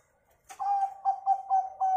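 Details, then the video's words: Zebra dove of the local type, sung as a lure to get other birds singing: a clear run of level coos broken into quick stuttering beats, five or six pulses in under two seconds. "perkutut lokal sangat ampuh buat pancingan biar manggung"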